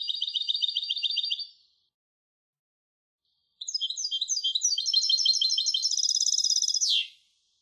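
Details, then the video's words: European goldfinch hybrid singing two bursts of fast, bright metallic trills: a short even trill of about one and a half seconds, a two-second pause, then a longer twittering trilled phrase that ends in a quick downward slur. "تغريد هجين الحسون Canto De Mixto del Jilguero"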